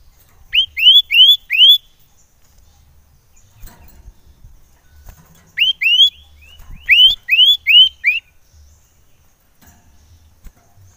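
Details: Common iora lure call for provoking rival ioras: clear rising whistles in runs of four, repeated after a gap as two bursts of four and five, each note sweeping up sharply.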